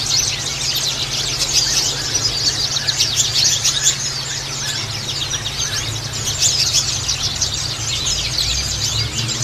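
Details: Continuous high-pitched white-eye song of the Bustomi type, used to coax a bird that won't sing: rapid rolling chatter of sharp chirps and trills, swelling in bursts around the start and again after six seconds, with a low steady hum beneath.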